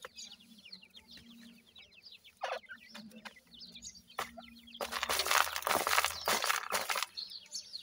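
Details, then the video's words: Captive Dakhni teetar and Desi teetar (grey francolin) chicks at feeding time: a dense chorus of thin, high, downslurred peeps, with loud rustling and clattering noise in the second half. "dakhni teetar and desi teetar chicks feeding"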